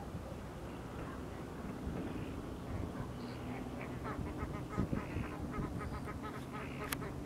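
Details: In winter on 7 August 2024 at Laguna Urtiz Nature Reserve, Río Gallegos, Santa Cruz, Patagonia, Argentina, a flock of Chilean flamingos gives a courtship chorus of nasal, goose-like honks and quick chatter, growing denser toward the end over a steady low rumble.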